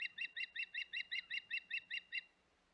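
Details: Osprey at its nest on Hog Island, 25 May 2021, giving a rapid even string of about twelve piercing, harmonic chirps, roughly five per second, before falling silent.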